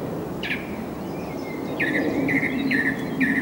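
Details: A song thrush (Turdus philomelos), recorded 6 April 2010, repeats a short, clear whistled phrase about four times in quick succession over a steady low rumble of background noise.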